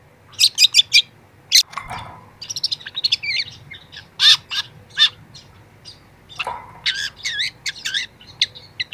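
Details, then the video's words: Young long-tailed shrike singing a varied song of borrowed phrases, heard as training audio: sharp high chips, twittering runs and a couple of lower swooping notes, delivered in irregular bursts. "masteran cendet muda"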